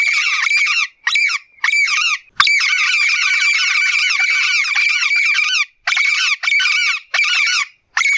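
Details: Yellow-faced parrot (papagaio-galego) calling a lot in nature: a long run of harsh, raspy squawks and chattering notes in quick bursts, with only brief pauses between them.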